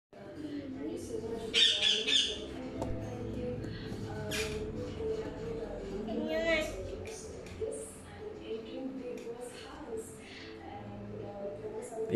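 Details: Two-week-old baby sun conure gives a quick run of thin, high squeaks, then rasping chirps, while people talk nearby in a room.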